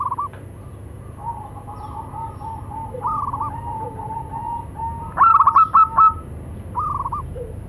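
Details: Local zebra doves, male and female, answering each other; a long soft low cooing run followed by a loud quick stuttered phrase of about six notes, then a short closing coo.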